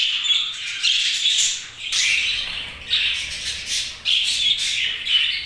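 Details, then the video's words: Budgerigars give bursts of raspy, high squawks and chirps roughly once a second, pulsing in loud phrases separated by brief dips. "Budgies' Chirping Sounds"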